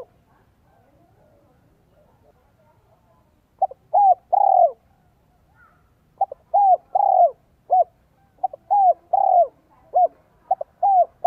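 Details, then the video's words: Vietnamese spotted dove decoy, singing in the 'giọng son 1 cốt lỡ' style meant to stir wild doves. After several quiet seconds, a string of short clipped notes and fuller descending coos follows in uneven bursts. "CHIM CU GÁY GIỌNG SON 1 CỐT LỠ KÍCH BỔI NHANH NỔI HIỆU QUẢ NHẤT"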